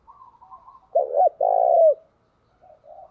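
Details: Decoy spotted dove calling to entice wild doves: one clear phrase of a short, clipped double coo then a drawn-out purring coo falling at the end, with soft higher warbles before and after.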